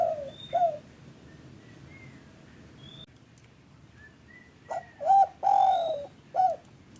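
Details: Spotted dove lure call for getting sluggish caged doves to call. One low coo opens, then soft high whistles from other birds, then a full phrase of short coos around a long, wavering coo.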